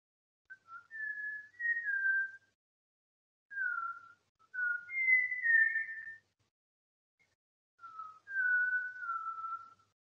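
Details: Malabar whistling thrush calling with three loose bursts of clear, human-like whistled notes, slurring up and down, each phrase one to two seconds long; the Soliga name it "herder of the evergreen forest" for this whistle.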